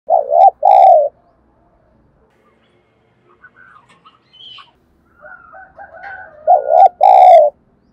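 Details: Spotted dove used as a decoy to stimulate other doves to sing, giving loud, hoarse, wavering coos in two short bursts near the start and again near the end, with faint chirps from other birds in between.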